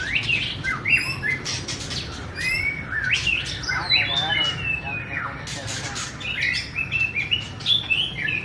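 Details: Varied song of a white-rumped shama, mixing clear high whistles, squeaky notes and fast rattling trills in quick succession, with a constant low background hum.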